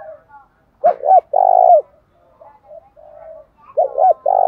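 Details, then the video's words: Decoy spotted dove provoking wild doves to answer its call. It gives a rolling double note and a long low coo, then a quieter stretch of faint sounds, then the next phrase begins. "chim cu moi thúc đấu rút bổi gáy theo hiệu quả/ bổi nhát mấy nghe là gáy"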